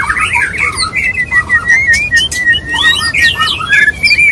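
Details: White-rumped shama male wooing a female with a mating call: fluty, wavering whistles and quick slurred phrases, with a few thin high notes mixed in.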